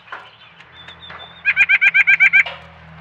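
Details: A White-breasted Nuthatch in a backyard, on trail camera, sings (a song rather than a call) a quick run of about eight nasal, even-pitched notes, roughly seven per second, over a low steady hum.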